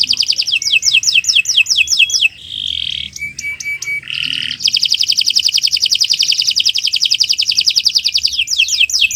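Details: Canary singing in the morning, recorded as training material for other birds: quick falling whistled notes, brief varied tonal phrases and short pauses, then an extended rolling trill ending with renewed descending notes.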